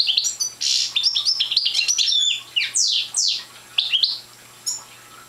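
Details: Young goldfinch of the Parva subspecies, not yet in full song, sings jangling high twitters followed by a few downslurred sweeping notes and spaced chirps fading out.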